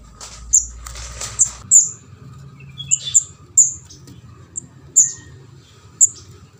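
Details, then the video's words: Juvenile orange-headed thrush, locally called kemade jawa or ndas abang, giving begging calls used as a lure to catch birds: thin, very high, short squeaky notes spaced irregularly, about one a second, with faint rustling. "suara pikat anakan burung kemade jawa/ ndas abang ampuh"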